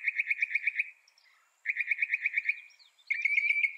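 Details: Northern mockingbird singing two runs of seven or eight identical quick chirps, separated by a pause, followed by a higher, steadier whistled phrase.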